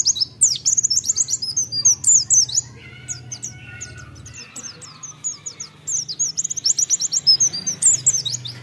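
A white-eye sings in a rapid, very high twittering stream of thin chirps and trills, about four notes a second, over a faint low hum.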